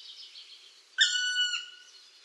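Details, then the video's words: A Black Woodpecker gives one drawn-out, plaintive, slightly falling note lasting about half a second, over a steady background hiss. "głos dzięcioła czarnego"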